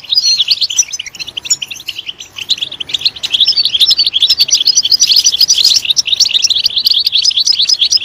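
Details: Loud European goldfinch song: a rapid stream of high, tinkling twitters with sharp metallic notes and trills that grows denser and busier toward the end.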